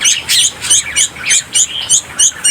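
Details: A hand-reared young bulbul, on its fourth day in care, kept on a balcony and able to fly, gives harsh, high, scratchy chirps, about three each second, insistent and steady, while flapping its wings and begging for food around 8 am.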